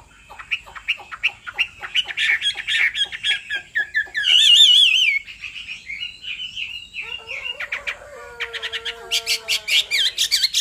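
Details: Hwamei, male stirred into song by a female's insistent calls: fast ticking notes build into twisting warbled whistles, one loud wavering burst, then a lower, steady, held tone under high repeated chips.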